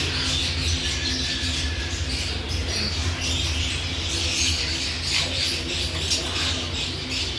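A budgerigar chatters nonstop in scratchy, high warbles and squawks over a low electrical hum.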